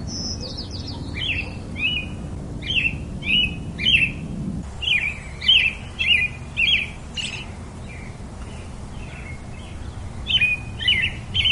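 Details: Robin melody of many short high warbled phrases, some rising and some dropping, given in a lively irregular series with brief pauses, with a low humming background that stops partway through.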